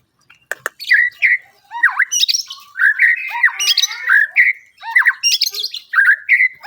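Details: White-rumped shama singing a lively, varied song of sharp whistles, slurred rising and falling notes and scratchy chattering phrases, delivered in rapid bursts with short pauses.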